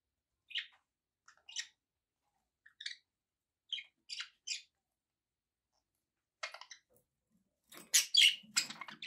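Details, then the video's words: Budgies kept as pets give short, high chirps spaced about a second apart, then a pause before louder, harsher squawky bursts of chatter near the end. "relaxing budgie sounds for your birds"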